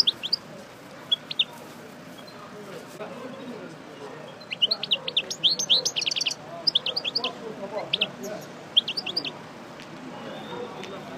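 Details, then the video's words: European goldfinch of the parva subspecies, just out of moult and resuming its song: scattered bursts of high, quick, tinkling chirps and twitters separated by short pauses, over a low steady background hum. "Chardonneret Parva Coupleur Sortie De Mue Repasse Le Chant"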